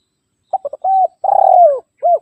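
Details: Spotted dove rival call meant to make wild and caged doves respond: fast short notes, a flat coo, a long pulsing coo curving downward and a brief final coo.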